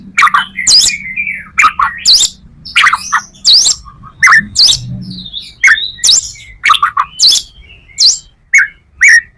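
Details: White-rumped shama singing a full song repertoire, used as a lure for other shamas: rapid varied phrases of sharp rising whistles, buzzy notes and chattering bursts, delivered in quick succession with brief pauses.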